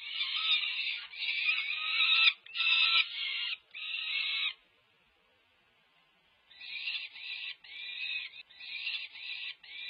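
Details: Peregrine falcon chicks near fledging demand food as the adult female feeds them, UC Berkeley nest cam, 18 May 2023; rhythmic grating screeches, roughly one and a half per second, a two-second lull, then a fresh run of pulses.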